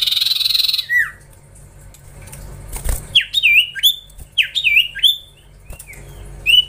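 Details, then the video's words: Young Common Iora (cipoh) being trained. A buzzy, rapidly pulsed trill opens the passage, then comes a string of sharp whistled notes, each rising and then hooking downward, given in irregular bursts in a quiet room. "Gacorrr ngelatih cipow cipoh anakan"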